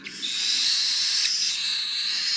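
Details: Cockatiel chicks, the last of the year, being hand-fed in 2021, give a steady, raspy, high hissing buzz lasting over two seconds without a break, with a few brief sharper rasps mixed in.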